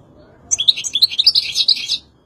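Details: European goldfinch singing a quick twittering phrase of about one and a half seconds, bright tinkling notes run together high-pitched, with a quiet background.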